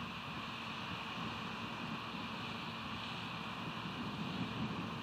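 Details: Low, even rumble of wind and distant engine or surf with a steady hum, and no animal calls stand out.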